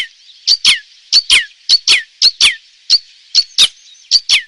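Red Crossbill giving sharp, high downslurred kip notes, mostly in quick pairs, about fifteen notes in four seconds; nothing else is heard.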